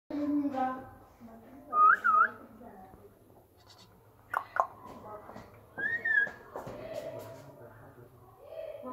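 An African grey parrot gives a mix of speech-like chatter, looping clear whistles and sharp squawks. There are short pauses between the bursts.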